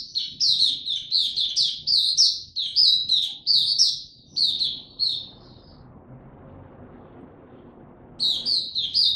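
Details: Oriental white-eye building form with 'tiong aw' opening song, 3 January 2022: about a dozen loud, high, downslurred chirps in a brisk regular string, a two-second pause with faint rumble, then the chirps resume.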